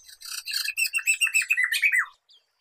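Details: Poksay mantel, the black-throated laughingthrush, in a tutoring recording for songbirds: a swelling run of chattery, quickly repeated notes that turns into clear falling slurs before stopping.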